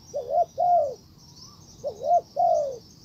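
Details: Decoy spotted dove calling toward a wild bird: two low cooing phrases, each a short wavering double note followed by a drawn-out, gently falling coo, with faint high chirring behind.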